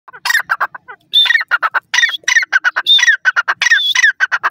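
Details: Grey francolin, known locally as dakhni bhura teetar, calling: loud, harsh bursts of rapid clipped notes, several bursts opened by a higher whistled slurred note, repeated steadily throughout with brief gaps and no other sounds.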